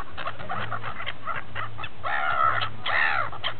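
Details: Gulls feeding at Repino near St. Petersburg: a flurry of short, harsh, nasal calls in quick succession, ending in two longer drawn-out mewing cries, over a constant low rumble.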